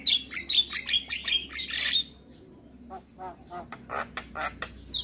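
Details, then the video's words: Tutoring recording of a Javan myna, meant for morning playback to make caged mynas sing: a rapid run of harsh chattering notes, then a pause and softer, buzzy, irregular squawks and clicks. "Masteran Burung Jalak Kebo Wajib Putar Setiap Pagi Bikin Jalak Cepat gacor"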